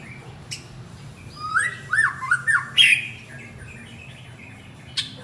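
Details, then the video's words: White-rumped shama male calling its partner with a few upslurred whistled notes and a sharp high note, separated by clicks and quiet gaps, with low background hum. "Chích choè lửa gọi bạn - Shama bird calls his partner"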